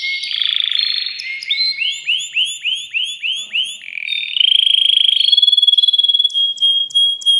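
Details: Excited caged male canary singing to stimulate a female to mate: a rattle, then a run of looping rising-falling whistled notes about three per second, then a long fast buzzy trill on one pitch.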